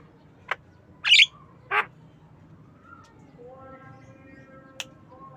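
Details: Javan myna in the afternoon, kept as a pet: a few sharp, harsh squawks and clicks early, then softer nasal whistled tones with a rising note and a final abrupt click, over low background hum.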